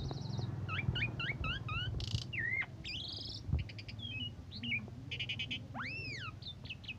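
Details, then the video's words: Asian pied starling singing in morning and evening condition, a tutor recording that provokes other birds: a busy mix of paired whistled slurs, buzzy bursts, rasping notes and arching whistles, with a low hum underneath. "Kondisi Pagi Sore Suara Jalak Suren Bikin Emosi Burung Lain Cocok Buat Masteran"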